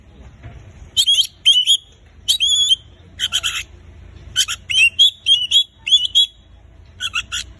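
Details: Oriental magpie-robin singing, a recording meant to get quiet birds singing: clear whistled slurred notes repeated in quick runs, mixed with short raspy buzzes, in a steady stream of separate phrases.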